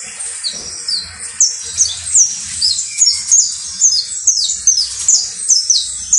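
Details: Saffron finch (canario basto criollo) delivering a lively string of high, piercing, downward-sliding chirps at a brisk uneven pace, with a faint low hum in the background.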